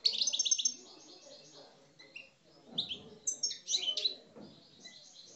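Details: Kept Algerian European goldfinch, subspecies parva, singing aggressively in coupleur style: a quick opening rattle of repeated chirps, a short lull, then clipped twittering phrases and thin high notes.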